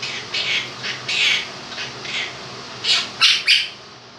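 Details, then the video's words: Male Quaker parrot aged two, kept as a pet, singing fragments of 'If You're Happy and You Know It' in husky, squawky phrases ending in louder sharp notes, over electric fan hum. "Quaker Parrot sings 'Happy And You Know It'"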